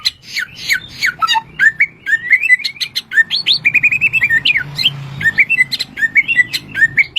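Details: Bushlark, credited with 1001 original sounds, opening with rapid sharp chirps, then a long string of quick upslurred whistles repeated in rhythm, over a low background rumble.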